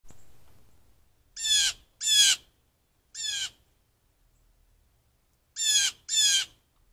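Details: Blue jays calling all around a deck, recorded by a trail camera: five harsh, raspy squawks in two bursts, each about a third of a second long, over a quiet background.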